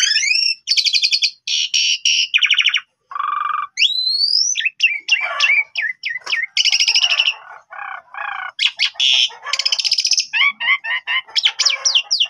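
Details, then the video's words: Long varied medley from an Asian pied starling, used as a lure so untrained starlings answer: buzzy rattles, rising whistles, harsh churring bursts and fast squeaky phrases, each shifting quickly to the next. "Jalak Suren Bahan Langsung Respon Nyaut Gacor"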